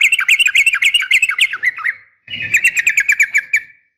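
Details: Female yellow-vented bulbul calling a male with a sharp fighting call, meant to prompt caged birds to respond: dense, rapid chattering phrases of bright, slurred notes in two bursts, fading at the end.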